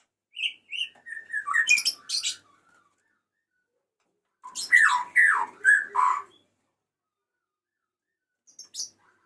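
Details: Male white-rumped shama calling to a female: two bursts of varied whistled and chattering phrases, sweeping between mid and very high pitch, separated by a pause, with a brief high note near the end.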